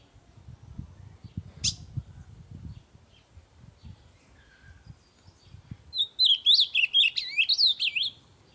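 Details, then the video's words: Ultramarine grosbeak singing loudly to stimulate other birds to sing: after scattered faint clicks and a short buzz, a rapid, sweet warbled phrase of rising and falling whistled notes lasting about two seconds. "AZULÃO CANTANDO E CHAMANDO PARA ESTIMULAR SEUS PÁSSAROD"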